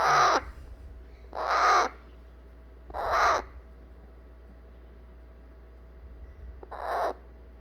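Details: Hand-fed eclectus parrot chick calling to be held after its feed: three rough, raspy squawks at roughly one-and-a-half-second intervals, then a pause of several seconds before a single fainter squawk.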